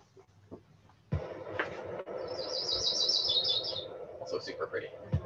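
Yellow-rumped Warbler giving a loose, musical trill of a dozen quick high notes that drifts slightly downward, over a steady background hum and a few clicks.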